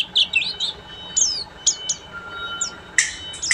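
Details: Oriental white-eye, buxtomi type, giving ngeriwik notes: a few high twitters, then isolated sharp downslurred chirps spaced apart, ending with a loud burst, faint steady tone behind.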